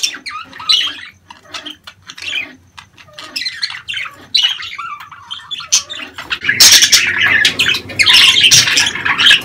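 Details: Budgerigars in breeding season, calling to stimulate mating and egg-laying. Scattered quiet chirps build into a loud, dense burst of shrill chattering squawks in the final third.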